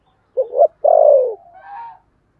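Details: 'Thổ'-voiced decoy spotted dove cooing to lure birds. A single phrase: two short rising notes, then a long, slightly rough coo sliding downward, followed by a faint higher trailing sound.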